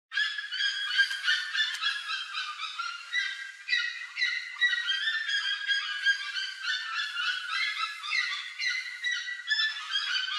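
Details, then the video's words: Several plush-crested jays plundering corn from a trail give a dense, continuous chorus of overlapping harsh and ringing calls, with notes tumbling over one another without pause. "PLUSH-CRESTED JAY (CYANOCORAX CHRYSOPS), GRALHA-PICAÇA Rooks plundering corn from the trail."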